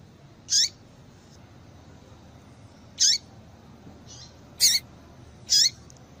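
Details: Female yellow-bellied seedeater call, played to stimulate males into singing. Brief high chirps sweeping down, each ending in a lower falling tail, four in about six seconds, with a fainter note between them over a quiet hiss.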